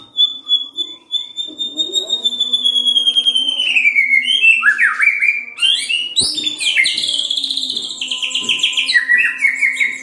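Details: Oriental magpie-robin singing, used to encourage other magpie-robins to sing: a long, slowly falling whistle, then a rich run of rapid varied chirps and slurred notes over a faint low hum.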